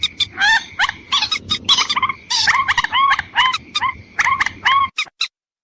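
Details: White-breasted waterhen lure call meant to draw in females and males: dense runs of harsh, nasal, harmonic notes in quick clusters, with a steady high whine underneath and low background rumble, ending abruptly.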